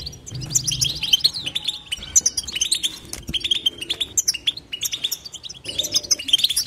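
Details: Continuous twittering of a European goldfinch with no silent breaks, a fast stream of bright clipped chirps and liquid trills, some notes rising sharply, delivered in quick runs with a faint low hum underneath.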